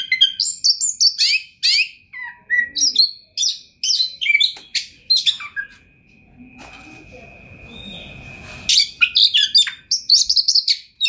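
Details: Energetic Oriental magpie-robin (kacer) song from a champion bird full of rich material: rapid series of varied whistles and scratchy chatters, a pause with a steady high tone and low murmur, then fast bursts resume.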